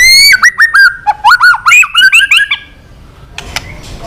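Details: White-rumped shama song given to provoke a rival: a rich warbled phrase of looping, slurred whistles lasting about two and a half seconds, followed by near silence with a faint click.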